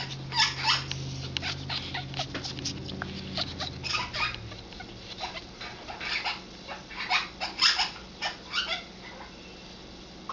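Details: Congo African grey parrot, an eleven-year-old female in hormonal mating condition, giving scattered harsh scratchy bursts and short squeaky notes over a faint low hum that fades after the first few seconds.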